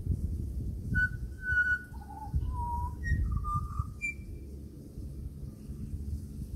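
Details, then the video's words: Australian pied butcherbird heard around a home, giving a fluty run of whistled notes that rise and fall in steps, some held, ending on a higher pure tone, with low rumbling background noise. "LISTEN TO THE BEAUTIFUL CALL OF THE AUSTRALIAN PIED BUTCHER BIRD"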